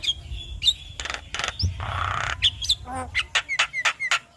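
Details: Javan myna song from a recording used to coax young mynas: scratchy bursts and a long hoarse rasp, then a quick series of short, sharp, descending whistled notes about four per second.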